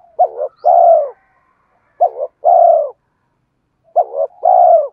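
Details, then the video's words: Spotted dove singing to lure wild birds. Three low cooing phrases are spaced about two seconds apart, each a clipped double note then a drawn-out, slightly descending coo, with clean silence between. "Tiếng chim cu gáy kích bổi nhanh nổi hiệu quả"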